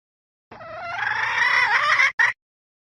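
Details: Hen giving a cackle: one long, strained, slightly wavering squawk lasting about one and a half seconds, followed by a single short clipped note; otherwise silent.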